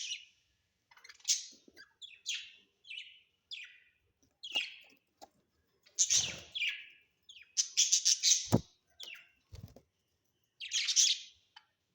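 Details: Home budgerigars chirp steadily: a lively string of short, falling, scratchy calls roughly every half second, mixed with loud squawks and a few soft thumps.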